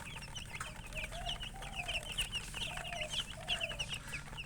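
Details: Chicken chirping beside a hen. Rapid, thin, high peeps repeat steadily, with a few softer, longer, lower notes drifting in every second or so, all over a constant low background rumble.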